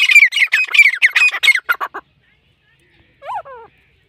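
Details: Black francolin giving a rapid series of harsh grating notes that fade out, then silence and a short, faint, rising-falling whistled call.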